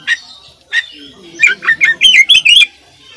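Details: Oriental magpie-robin in vigorous fill-rich tutoring song: two isolated chirps, then a fast run of about eight bright, bouncing whistled notes.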